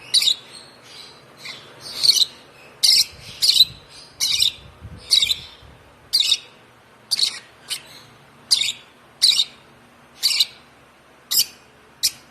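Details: A one-month-old African lovebird, hand-fed since two weeks of age, gives sharp, high, harsh chirps about once a second in an uneven series, over a faint low background hum.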